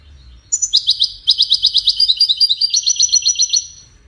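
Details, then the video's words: Widani-style European goldfinch song used to tutor young chicks: one continuous stretch of about three seconds of quick, high, twittering notes, broken by a brief gap early on, fast and chattering throughout. "تغريد ويداني لتسميع فراخ الحسون"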